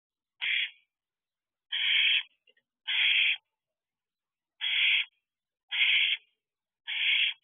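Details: Owlet calling for food from a nest box at dusk, 8:37 pm on 8 July 2023, in week 13 near dispersal. It gives six harsh, hissing screeches, each about a third of a second long, spaced irregularly about a second apart.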